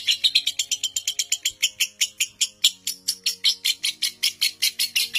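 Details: Lovebird ngekek from a seven-minute record-breaking singer used to train young lovebirds to trill long; a long unbroken run of rapid, rasping high-pitched pulses with slight changes in pace and faint low hum beneath.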